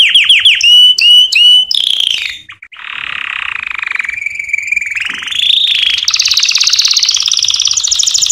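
American Singer canary song: quick repeated whistled notes open into a long rolling trill, then shift to higher, faster buzzy trills.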